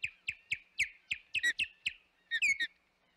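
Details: Osprey calling at the Hog Island nest, 25 May 2021: loud, sharp chirps with dry knocking at each onset, spaced about a quarter second apart, ending in a brief cluster of higher, rising whistled notes.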